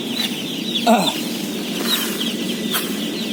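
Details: Day-old chicken chicks, a flock of about 17,000 at feeding, peeping in a dense high chorus, with a brief louder lower call near the one-second mark and steady low rumble beneath.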